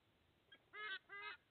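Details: Sea eagle father bringing food to two eaglets at a nest in Australia, 30 August 2024; a short faint note, then two loud, drawn-out nasal honks with rich harmonics.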